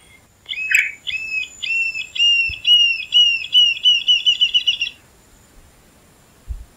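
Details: Rufous-tailed jacamar recorded in the Caatinga gives high, thin whistled notes that speed into a rapid, rising-and-falling trill for about four seconds, sounding like a mocking laugh.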